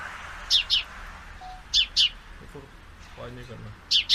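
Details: Sparrow, a male calling as two females scuffle nearby: bright paired chirps at the start, middle and end, with a faint human voice murmuring low in between.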